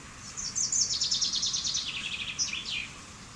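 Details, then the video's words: Common chaffinch (Fringilla coelebs), one song: a tumbling series of high notes descending gradually, ending in a short accented flourish, heard through noticeable background hiss. "Canto del Pinzón Común"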